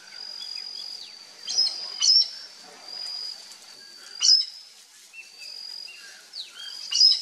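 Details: A chestnut-eared aracari (Pteroglossus castanotis) visiting a backyard in Brazil to eat papaya gives sharp, high squeaky notes at irregular intervals of one to three seconds, over a steady high insect-like whine.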